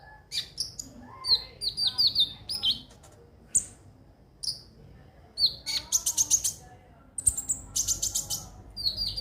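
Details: Ruby-cheeked sunbird, called konin, singing on a lure track: a jumble of quick high chirps and down-slurred notes, then loud buzzy rattling bursts and more twittering.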